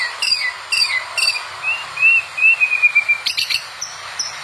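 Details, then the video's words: White-rumped shama (murai batu) song used to train other shamas: three short paired whistles, a run of soft repeated whistled notes, then sharp high chips, over steady background noise. "KUMPULAN BEBERAPA SUARA OCEHAN BURUNG MURAI BATU GACOR UNTUK MASTERAN MURAI"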